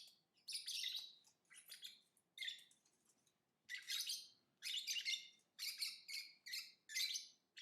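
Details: Lovebird singing in rapid, grating, high-pitched chirps, loosely spaced at first, then a dense sequence of paired and tripled notes toward the end.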